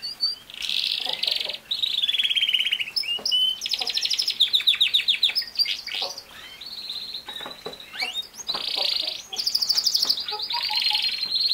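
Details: Canary song for training a young male canary: varied rolling tours, buzzy trills and clipped chirps in bursts, with brief gaps between phrases.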